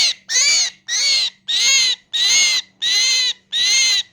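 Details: Myna giving loud, harsh, nasal squawks, each about half a second long, repeated steadily about every 0.6 seconds, seven in a row, with a faint low hum underneath.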